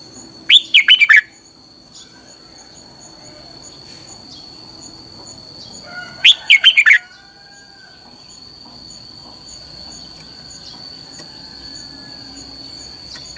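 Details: Red-whiskered bulbul recorded as a song-training lure, 'căng lửa' style: two brisk warbled phrases about six seconds apart, followed by a long quiet stretch with only a faint high tone.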